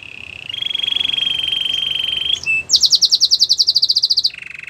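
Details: Canary song used for training: a high, steady buzzing trill held for nearly two seconds, a brief pause, then a fast run of about sixteen sharp pulsed notes, ending on a lower, softer rolling trill.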